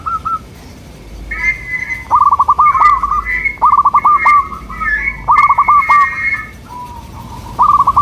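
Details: Local zebra dove song meant to draw replies from local doves: rapid staccato cooing bursts of short stuttered notes, repeated several times, with higher overlapping whistles from a second bird and faint clicks.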